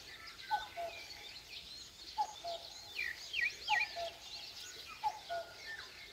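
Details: In the countryside of Korea at dawn, a common cuckoo repeats its falling two-note call four times, about every 1.5 seconds, amid a dense background of chirping and whistling songbirds.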